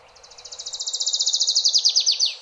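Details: Adelaide's warbler delivering a crescendo trill of around thirty high, clear notes that grow louder and slowly slide downward before ending in a few slurred, falling notes.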